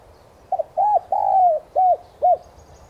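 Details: One spotted dove phrase from a lure track used to provoke captive doves to coo: quick double note, a rounded coo, a long level drawn coo, then two short clipped coos, clean and low-pitched.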